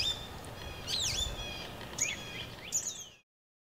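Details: High, thin peeps from a mallard brood of seven ducklings with their mother, several sharply down-slurred notes scattered over three seconds, over a soft outdoor background hiss.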